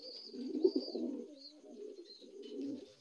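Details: Brief, low gurgling coo from young adult Lahore pigeons, one loud throaty burst followed by softer rolling notes, with faint high whistles behind.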